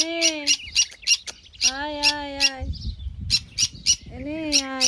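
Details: Sun conure, also called pineapple conure, giving loud harsh squawks with strong harmonic stacks, some notes swooping down then rising, mixed with sharp screeches in quick irregular bursts; a low thump or rustle in the middle.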